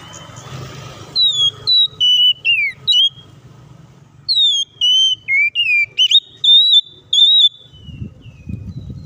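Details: Oriental magpie-robin in energetic song, used as a lure to make other birds sing quickly and fight. Clear whistled phrases, some sliding down and some sharply rising, in short bursts about every half second after a low hum.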